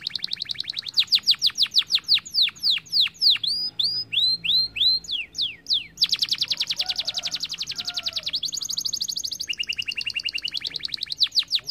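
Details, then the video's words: Canary song played to start other birds singing: dense rapid trills and buzzy rattles alternating with series of clear falling and rising whistled notes, bright and high-pitched, shifting pattern every second or two, continuous throughout. "Special Canary Troll to start the sound of birds going mugo gacor dor"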